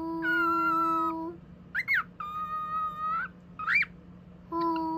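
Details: Male pet cockatiel chattering: long, steady whistled tones with rich harmonics alternate with short, sharply rising chirps, repeated over five seconds above a constant low electrical hum.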